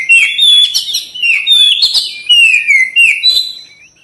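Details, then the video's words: Oriental magpie-robin (kacer) in full song, tail-spreading, used as a therapy track: loud, varied whistled phrases that slide down and rise again, with fast chattery notes between, densely packed over four seconds. "TERAPI KACER CEPAT RESPON GACOR BUKA EKOR"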